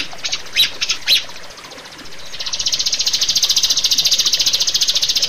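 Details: Rio-rio bird, used as a master recording for training caged birds: a few loud, sharp chip notes, a short pause, then a long, fast, buzzy trill of evenly pulsed high notes that grows slightly louder.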